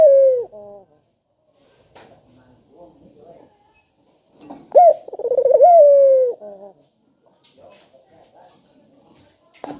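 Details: A spotted dove calling as a lure to prompt other doves: the tail of one coo, then a full phrase of sharp note, rapid tremolo and long falling coo near the middle. Faint soft knocks and murmurs fill the gaps.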